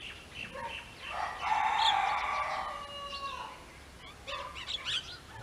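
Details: A single Rose-ringed parakeet, a winter visitor to Potohar, in low evening light gives a long, drawn-out, rasping harmonic note of about two seconds, followed by a few shorter chattering squawks.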